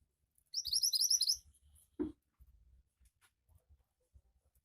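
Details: High, rapid upward-slurred chirps of a Javan white-eye in vigorous 'gacor' song, a training sound for making birds chatter, lasting under a second, then a short knock and quiet low background.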